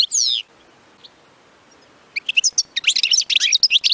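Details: European goldfinch batbata song, played to excite goldfinches into continuous singing; a short high descending twitter, a quiet gap, then an energetic run of rapid, jangling, chirping notes that grows denser toward the end.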